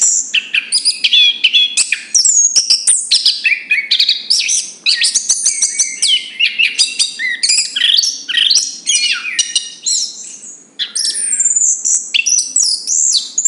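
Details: Long continuous song from a chestnut-capped thrush, a rich, fast stream of high whistles, trills and chattering notes with hardly a pause, and a faint low hum in the background.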